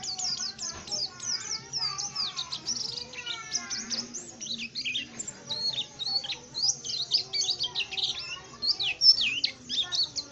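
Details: Tame oriental white-eye singing actively: dense, rapid, high-pitched chirps and thin downslurred twitters pour out almost without pause, with a few lower whistled notes faintly beneath.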